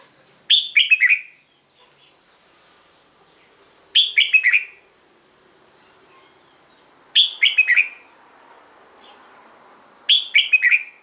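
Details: Caged-bird stimulus recording of a red-whiskered bulbul: a short chirpy phrase of three or four slurred whistles, repeated about every three seconds with quiet gaps between, and a thin constant high hum throughout.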